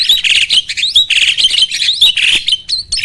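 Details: Starling singing as a training recording to provoke rivals: a continuous, harsh, chattering torrent of buzzy notes and squeaky whistles, with a short upslurred whistle near the end.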